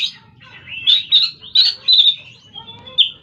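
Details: Oriental magpie-robin singing a varied run of bright whistled notes, short sweeping phrases and sharp chirps, with brief pauses between bursts and faint low background hum.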